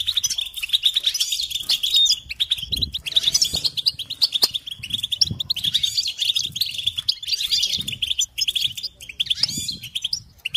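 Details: European goldfinch delivering long runs of jangling, high twitters and tinkling trills, dense and continuous throughout, meant as song training for other birds; faint low thumps underneath.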